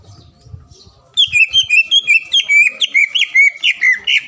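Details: Green leafbird lure singing, aimed at making a rival bird call and get emotional: after a quiet start, a brisk series of clear upslurred and downslurred whistles, about two or three per second.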